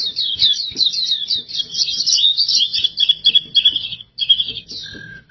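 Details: Oriental white-eye (pleci) singing gacor, in full steady song: a fast, unbroken high warble of twittering notes that runs on for about four seconds, pauses briefly, then resumes, with a low, clipped note near the end.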